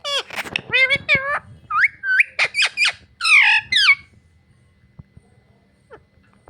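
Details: Parrot that says "mummy papa" chatters rapidly in high, bending syllables for about four seconds, then falls nearly silent apart from faint clicks and a low background hum.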